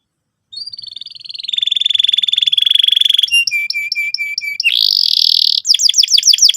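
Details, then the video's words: Vigorous canary lure song to prompt young birds to trill: a drawn-out whistled tone becomes a fast pulsed trill, followed by bouncing short chirps, a buzzy rolling passage and quick descending sweeps. "PANCINGAN BURUNG KENARI GACOR SEKETIKA BIKIN PAUD NGEROL NGK MAU DIAM"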